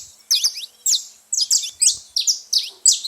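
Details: Saffron finches noisy at a feeder, a quick series of loud bright chirps, each a sharp high note with an upward flick, spaced about every half second.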